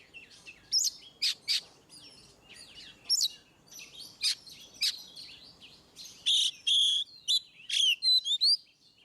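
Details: Oriental magpie-robin singing in the ngeplong style, offered for rarely singing birds: a lively run of sharp whistled notes, upward and downward sweeps and short buzzy bursts, mostly high-pitched, with brief pauses between phrases; background quiet.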